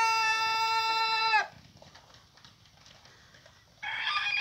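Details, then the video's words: Rooster crowing: a long, even, strongly harmonic crow cuts off sharply at the start, a quiet gap with faint rustling follows, then a rougher new crow begins near the end. "Galo músico cantando"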